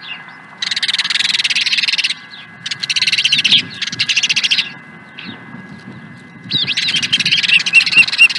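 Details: Long, rapid trains of high chittering chirps from an osprey at Dunrovin Ranch on 16 April 2020, sustained for a second or more at a time with short pauses between bouts.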